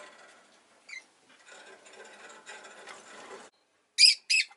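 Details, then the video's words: Rosy-faced lovebird chirping: two loud, sharp, high chirps in quick succession near the end, after a brief faint chirp early on, over a low murmur of town noise. "Lovebird Chirping Sounds"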